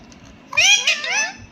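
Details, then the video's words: Pet parrot talking, probably repeating its name: a short, loud, nasal burst of harmonic, voice-like sounds, first rising then falling in a gliding two-part phrase, indoors with faint background noise. "CUTE PARROT TALKING"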